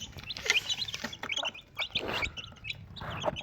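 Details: Desi chickens, a mother hen with four chicks: high thin peeps repeat in quick bursts, mixed with rustling and bumping noises.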